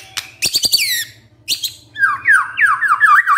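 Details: White-rumped shama song used as a lure to provoke a reluctant male into singing: harsh, buzzy squawks with sharp clicks open, then a run of loud, slurred whistles that drop and rise in quick succession, with a faint low hum beneath.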